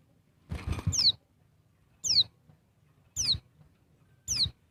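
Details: A female Bali white-eye calling to arouse males: single high, thin descending whistles roughly every 1.1 seconds, each preceded by brief low rustling, against a faint hum.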